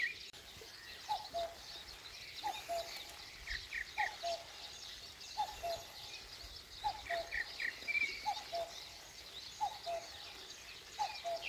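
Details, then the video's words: At daybreak in rural Korea, a common cuckoo repeats its falling two-note call roughly every one and a half seconds, steady and clear, while other songbirds chirp and trill higher up in the background. "시골의 새벽녘 뻐꾸기와 새소리"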